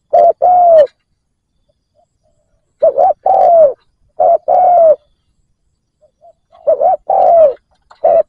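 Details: Decoy spotted dove cooing to attract wild doves: spaced phrases, each a short coo and a longer coo that drops in pitch at the end, with silent gaps of one to two seconds.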